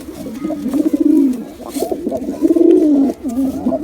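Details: A male and female pigeon coo almost continuously, low throaty rolling notes swelling twice and tailing off, a faint click near the middle.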